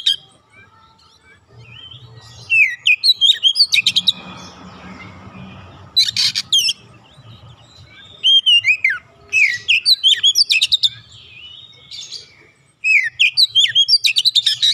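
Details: Oriental magpie-robin, an untrained 'bahan' bird, joins in at once and sings energetically ('gacor'). Rapid bursts of high slurred whistles alternate with rasping broadband notes and short pauses. A brief rushing noise and a steady low hum sit underneath.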